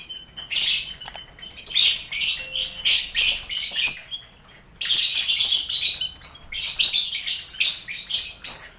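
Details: Caged lovebirds in a busy colony aviary shared with finches and quail, kept for mental training before contests: loud, harsh, buzzy chattering bursts of about a second each, separated by brief pauses, with a faint low hum beneath.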